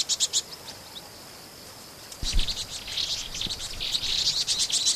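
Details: Vinous-throated parrotbills, flocking residents of grassland and woodland, recorded in Pingtung City, Taiwan, in March 2014: a few high chips, then from halfway a dense, continuous chorus of rapid twittering notes from several birds, over a thin high hum.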